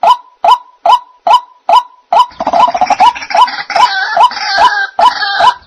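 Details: White-breasted waterhen lure call used for bird trapping: a hollow 'kruak' note repeated about twice a second, soon overlaid by harsh, gurgling croaks in a busy, monotonous chorus.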